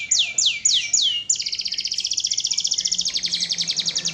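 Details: Canary singing lively in a training recording for songbirds: four sweeping downslurred notes, then a long, fast, even trill rolling on to the end, high and bright.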